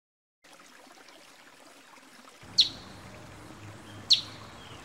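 Ruby-crowned Tanager giving two sharp, high chip notes about a second and a half apart, over a steady hiss and low rumble.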